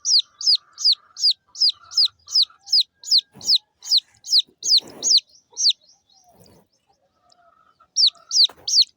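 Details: Small chicks of local chicken give a long run of high, downward-sweeping peeps, a brief gap with soft rustling, then the chirping starts again.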